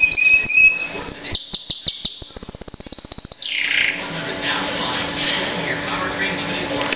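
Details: Loud pet canary singing: brief high whistles and chirps lead into a rapid even rattle of about twenty clicks, followed by a dense buzzing warble against a noisy background.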